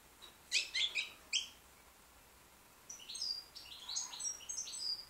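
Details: Young white British goldfinch singing quietly, a few sharp buzzy notes followed by a soft run of high whistled and twittering phrases over faint background hiss.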